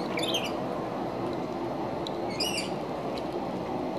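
Yellow-tailed black cockatoo giving two short, harsh, slightly wavering calls about two seconds apart over steady broadband background noise.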